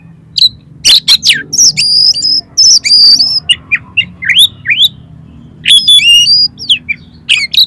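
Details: Oriental magpie-robin delivering full mimicry-filled song as a lure for contest birds: loud dense bursts of whistles, sharp clicks and upswept chirps, with tremulous high phrases, almost continuous for several seconds.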